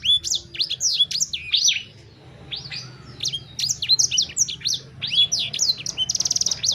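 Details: Sanger bird song of quick, bright chirps and swooping whistles, briefly dropping out midway, then ending in a fast buzzy trill.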